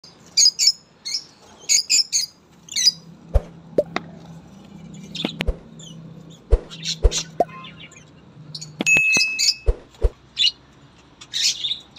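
Budgerigars chirp in quick, scratchy bursts of high notes, with a few sharp clicks and taps.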